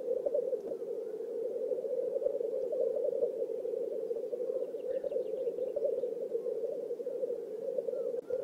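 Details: Lekking black grouse in a swamp in Oulu, Finland, 5 May 2022, a courtship display: sustained low bubbling rookooing fills the clip, with faint high twittering from small birds around the middle.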